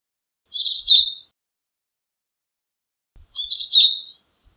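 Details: Two separate calls of a Japanese tit, each a rapid squeaky burst sliding into a thin whistled tail, spaced nearly three seconds apart in an otherwise quiet recording.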